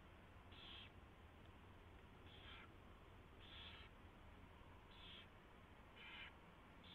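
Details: Mouse delivery and feeding at an owl nest at 4:21 AM on February 24, 2016: five short harsh screechy hisses, irregularly spaced about one to two seconds apart, over low steady noise.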